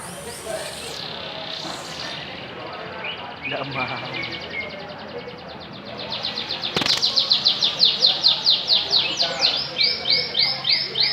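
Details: Canaries from Samarinda: quiet background noise and faint chirps at first, then a loud, steady trill of fast repeated sweeping notes building through the second half.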